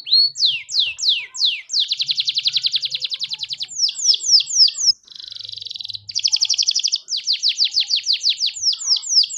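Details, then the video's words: Grey canary singing: rapid series of sweeping downward whistles, long buzzy trills of fast repeated notes, and a brief harsh rattle, delivered loud and continuous with no other sounds. "تغريد كنار ملتش رمادي"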